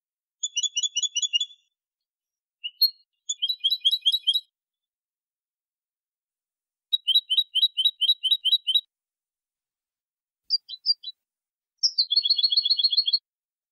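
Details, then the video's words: European goldfinch singing in the clean jilguero limpio style, 2020 recording: several bursts of fast, tinkling twittered notes, each lasting one to two seconds, broken by short pauses and a few isolated chips, with no other sounds present. "CD jilguero limpio 2020"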